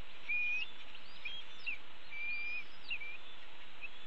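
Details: Vocal red-tailed hawk nestlings in the nest call for the parents during a morning pigeon feeding; faint, thin whistled slurs rise and fall in loose sequence beneath a constant broadband hiss.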